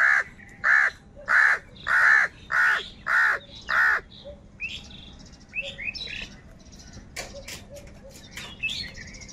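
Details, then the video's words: Crows fighting over food. Seven loud, rough caws come in a steady series, about one every half second, followed by quieter chatter, squeaks and chirps from other birds. "Clear crystal Crow bird Crowing sounds | কাকের ডাক Crow Sound"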